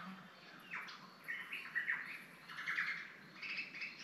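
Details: A Superb Lyrebird, unseen in dense bush up a hill in Victoria's Cathedral Ranges State Park, Australia, in summer, runs through a varied medley of mimicked calls: sharp chirps, rising whistles and brief squawky notes, shifting every second or so, heard from a distance.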